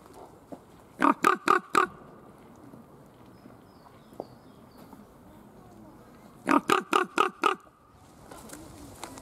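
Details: Common raven (Corvus corax) named Rufus at Schönbrunn Zoo in February 2020 gives two bursts of four harsh, hoarse croaks in quick succession, several seconds apart, over a faint low background hum.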